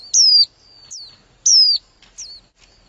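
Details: A female white-eye calls to excite a male, giving two bright, high, downslurred whistles about a second apart, each followed by a thinner, twisting chirp.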